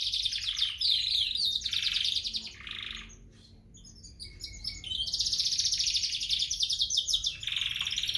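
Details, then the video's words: Gray frill back and yellow canaries singing: a loud, continuous run of rapid trills and twittering phrases, briefly pausing near the middle before resuming with fast, repeated chirped notes. "Canary Singing"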